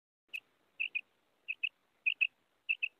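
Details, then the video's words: A female quail gives short, high, clipped notes, mostly in quick pairs, with a pair about every half second, and nothing else heard in the background; finding: quail. "female quail Sound , batair karik , mada Batair ki Awaz"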